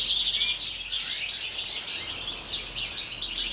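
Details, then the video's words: European goldfinches in an outdoor aviary during winter, minus four degrees, singing as a group: a thick wall of rapid, bright chirps and twitters with no pauses. "Goldfinches Winter song part II"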